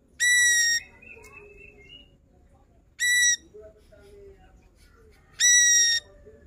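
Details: Lively singing ashy drongo showing off its range of phrases, recorded to tutor other songbirds: three bright, ringing whistled notes spaced irregularly, separated by faint thin rising whistles and soft low murmurs.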